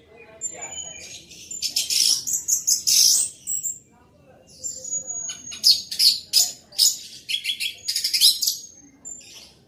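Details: Orange-headed thrush singing loudly and vigorously: dense bursts of high, buzzy, rattling notes and sharp chips in two long phrases split by a short pause, with a thin, steady high whistle running in the background.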